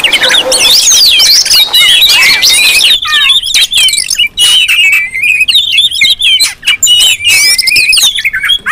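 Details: Oriental magpie-robins in a busy, noisy chorus, used to lure and provoke other magpie-robins: dense overlapping whistles, chattering notes and quick slurred phrases, high and bright, with loud sharp bursts and barely a pause.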